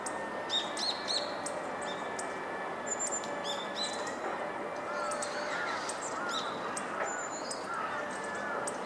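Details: Hawfinch recorded on 14 December 2013 in morning sunlight, giving short, sharp, high ticking calls scattered irregularly through the clip over a steady background hiss.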